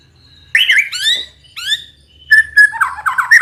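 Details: White-rumped shama in kretekan style: rich rising whistled phrases with harmonics, a brief pause, then short flat whistles and a quick warbling run of notes.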